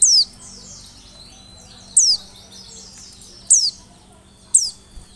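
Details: Oriental white-eye used as a lure to coax answers: four sharp high notes dropping in pitch, irregularly spaced, over faint chattering of other small birds and a low hum.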